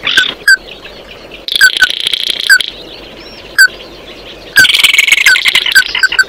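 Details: Oriental white-eye calling the flock, with bursts of buzzy, high chatter broken by pauses and scattered single sharp notes, then a quick run of repeated clear notes at the end.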